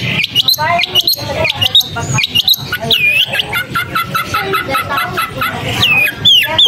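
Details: Varied song of a long-tailed shrike: clipped chips, then clear looping whistles rising and falling, with rapid stuttering notes in between and a soft low rumble behind.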